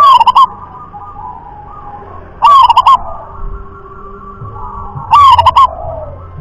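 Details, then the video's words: Wild local zebra dove singing in the sought-after irama rhythm style: three loud, soft-toned cooing phrases, each a quick wavering run of rolled notes, repeated about every two and a half seconds over a steady background hum. "jenis suara perkutut lokal kelas irama"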